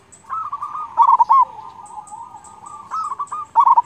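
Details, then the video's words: Local zebra dove song used as a master recording to train and stir other doves: a low, steady cooing tone with rolling bubbly trills and sharp accented notes, repeated in phrases over a quiet background with faint high chirps. "perkutut lokal gacor suara kung dan besar manjur untuk masteran"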